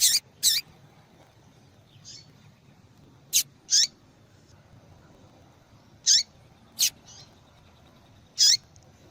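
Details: Female yellow-bellied seedeater calling to warm up and stimulate a male to sing. Sharp, high, short call notes come in irregular pairs every few seconds, with fainter softer notes between them, over a quiet background.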